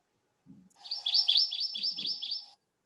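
Hawaiʻi ʻamakihi giving a quick run of about eight high, check-mark notes, each dipping down then rising, over under two seconds; a faint low voice murmurs beneath.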